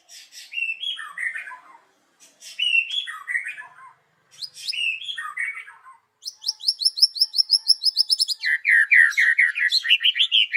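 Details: Morning song of a white-rumped shama, played to lure birds: varied slurred phrases with pauses, then a fast run of high rising notes and a rapid chattering series of warbled notes.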